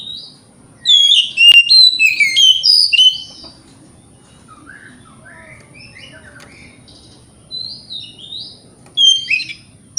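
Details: Oriental magpie-robin singing in the morning, used as a lure to provoke rival birds to answer. A burst of loud, varied whistled and chattering phrases runs about two seconds, then faint twitters follow, and a short bright phrase returns near the end.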